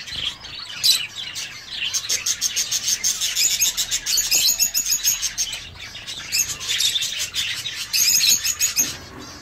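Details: Aviary of zebra finches: rapid bursts of high, nasal, trumpet-like call notes in quick series, with a busy background of many other birds calling.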